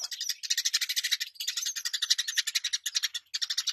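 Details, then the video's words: Eurasian tree sparrow singing in the lively, loud 'gacor' and 'ngeplong' style: a fast, steady stream of bright, high chirps, about ten a second, broken by two short pauses. "Burung Gereja Gacor dan Ngeplong tanpa Malu"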